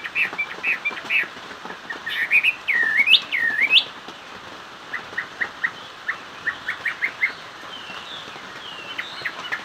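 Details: Chinese hwamei singing: fluid whistled phrases with upward-sweeping slurs, followed by a run of short repeated whistles, then softer distant notes.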